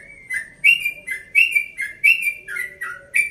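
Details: At dawn, a 1.5-year-old Bekasi yellow-vented bulbul gives a relaxed 'ropel' rapid song: bright whistled phrases that step between higher and lower pitches, repeated roughly every half second over a quiet background.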